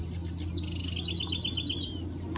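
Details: Male house wren in the Experimental Forest on Commonage Road near Vernon gives a fast, high bubbling series of about seven sharp notes that ends in a descending trill, over a low steady hum.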